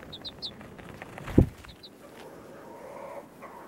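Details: Three baby chickens out of doors for the first time, perched on a hand, a little scared and unwilling to step onto the ground; a few thin, high peeps at the start, then a dull handling thump.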